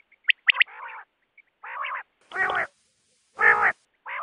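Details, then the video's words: Common quail (batair): a couple of sharp triplet notes, then loud, rough, buzzing bursts spaced about a second apart. "Common Quail Sound"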